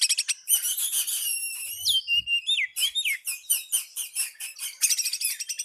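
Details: Oriental magpie-robin singing to draw out a rival: dense, high chattering phrases broken by downward-slurred whistles, then a long string of evenly repeated sharp notes and a brisk closing trill.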